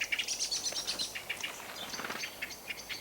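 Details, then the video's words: Common blackbird in a British garden giving its distinctive alarm call, commonly used when going to roost: a rapid, irregular run of sharp, high clicking chinks, several per second, over faint hiss. "Blackbirds also have a distinctive alarm call which is commonly used when going to roost. [Applause]"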